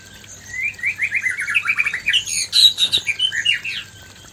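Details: Male white-rumped shama singing to a fierce female, meant to boost breeding desire: series of rising whistled notes, rapid and repeated, building into dense high chattering phrases, low hum beneath.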